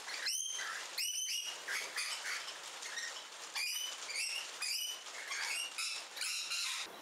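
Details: Rainbow lorikeets in a garden on the Central Coast of New South Wales, Australia, giving loud harsh screeching calls in rapid bursts, several overlapping, repeated throughout with short gaps.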